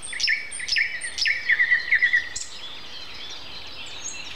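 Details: Common nightingale singing on a Sunday morning, April 29, at 7:55, a year when it began in mid-April; clear whistled notes near one pitch, then a quick run of repeated short whistles, followed by quiet.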